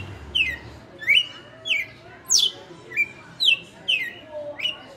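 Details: Long-kept captive red-cowled cardinal in açoite song, about eight loud, ringing whistles, each sweeping downward, coming at irregular intervals of roughly half a second, clean against a quiet room.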